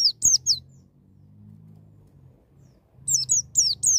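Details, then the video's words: White-eye wild-style 'ngalas' song for provoking young birds: three high descending notes, a pause of over two seconds with a low hum, then four more falling notes in quick succession. "BURUNG PLECI NGALAS NEMBAK,MEMICU PLECI BAHAN CEPAT NGALAS BUKA PARUH"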